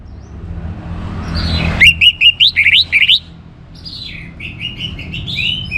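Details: Singing orange-headed thrush, played to get other birds singing: a quick run of bright, varied whistled notes, then softer warbled phrases trailing off, with a faint low rumble behind.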